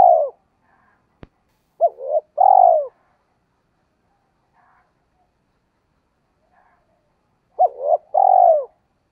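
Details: Decoy spotted dove, kept to lure wild doves into cooing, in 'giọng thổ' voice style; two separated phrases, each with short clipped notes then a longer, lower, purring coo, with long quiet gaps between.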